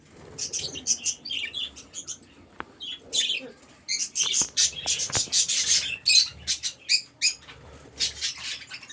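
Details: Several budgerigars in an aviary chattering with dense high chirps and scratchy notes, plus clicks and a low background rumble.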